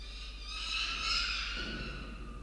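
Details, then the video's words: Peregrine falcon around a tower in the evening, 10-12-2022, giving one loud, harsh, whining wail lasting about two seconds that swells in the middle and trails off, over faint low background rumble. "falcons evening around the tower"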